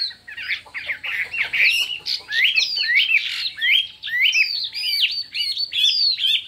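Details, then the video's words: Contest-singing Chinese hwamei in many voices: dense, loud, fast whistled warbling with twisting slurs and buzzy elements, almost without pause. "Hoạ Mi Hót Đấu Nhiều Giọng"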